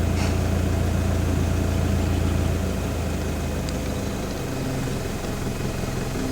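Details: A vehicle engine idles with a steady low rumble that drops slightly in pitch partway through, and no animal sound can be heard.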